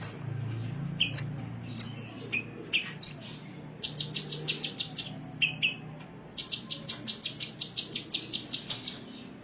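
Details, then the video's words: Indonesian masteran of a sunbird for cage-bird training: scattered high whistles and lower chirps, then two long series of quick, evenly spaced, piercing notes repeated about four times per second. "Masteran Suara Burung Kolibri"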